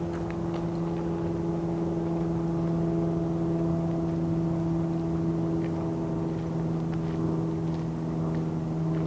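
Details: A steady motor drone with several constant humming tones and rough low rumble throughout; no animal voice can be picked out.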